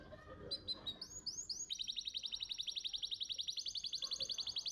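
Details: Champion canary master song meant to prompt young canaries to sing: a few sweeping whistles give way to a long, even, fast trill of repeated notes, nearly four per second.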